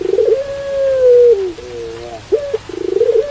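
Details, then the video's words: Long steady coo from a pelung dove easing downward at the end, a softer doubled coo, a brief clipped note, then a fast pulsing roll, with rain hissing softly behind. "Suara Puter Pelung Diiringi Suara Hujan"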